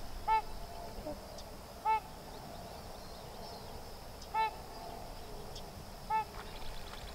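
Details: Sandhill crane colt accompanying its parents on Sherburne Wildlife Drive repeats short, ringing call notes four times at irregular intervals of roughly two seconds, with a steady low hum and faint clicks behind.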